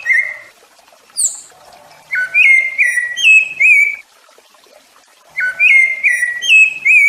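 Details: Song of a rufous-bellied thrush, used to teach and stimulate adult birds and fledglings: a short high squeaky note, then two bursts of fluty whistled syllables, four or five each, separated by a pause.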